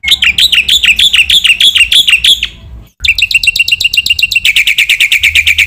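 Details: Black-winged myna training song, a vigorous full recording said to provoke other mynas: rapid series of bright, chopped notes repeated about twice a second, a short pause, then faster clipped notes and a steadier run of sharp chirps.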